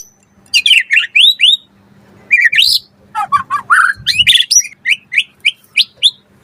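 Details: A white-rumped shama sings a full, busy lure song meant to get other shamas singing: quick downslurred and upswept whistles, a rising buzzy phrase, a burst of scratchy notes, then a steady series of short rising whistles about twice a second.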